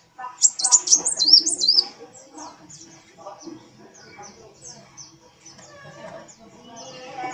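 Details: Brown-throated sunbird, known locally as kolibri wulung, in full lively song with a dancing tail. Its rapid, looping high whistles warble up and down for about two seconds, followed by sparse faint ticks and chirps.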